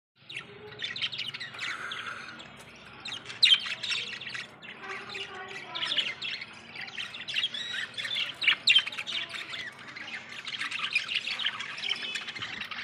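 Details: Budgerigars that have just laid their first eggs chatter with busy, scratchy warbles and sharp chirps, almost without pause.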